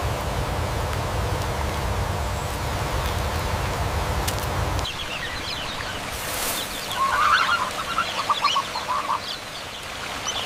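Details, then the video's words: Indian peafowl (peacock) gives a quick run of short, nasal, honking notes near the end, after several seconds of heavy low rumbling noise. "peacock bird, the indian peafowl, most clear sounds"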